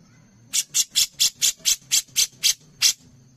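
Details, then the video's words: Grey-cheeked bulbul recorded as contest training material, giving a short series of ten harsh, hissing notes evenly spaced about four per second, then falling quiet over a faint low hum. "CUCAK JENGGOT GACOR | Masteran Wajib Untuk Lomba Kicau"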